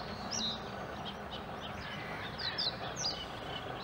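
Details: Eurasian coot chicks at their nest on the Schützenweiher in Winterthur, looked after by the adults. A few piercing, high squeaky whistles come at the start and again near the end, separated by quieter peeps over background noise.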